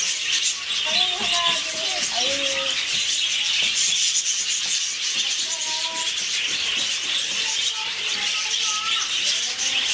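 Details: Budgerigars in a zoo tropical bird house, possibly mating, give squeaky, wavering warbles and chirps in scattered bursts over a steady, loud background hiss.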